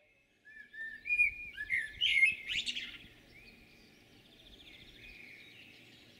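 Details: A common blackbird sings in Jūrmala on 11.06.2022: a mellow, fluted warble ending in a squeaky, twittering flourish, while thin, high notes from another bird carry on faintly afterwards.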